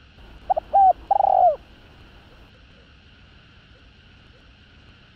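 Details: Spotted dove, 'hạp bổi' voice for stirring rival males: one cooing phrase early on of two clipped notes, a short hooked note and a long coo that dips, followed by several seconds of faint hiss.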